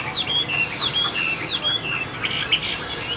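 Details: Tame Chinese hwamei kept in a cage, newly arrived, sings softer whistled phrases. Slurred notes repeat roughly every half second over steady background noise.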